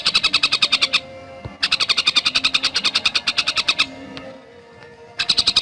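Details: Javan cuckooshrike with a fast 'gacor speed rapat' song of high, sharp notes in quick runs, separated by pauses that hold low tonal hums and faint background sounds.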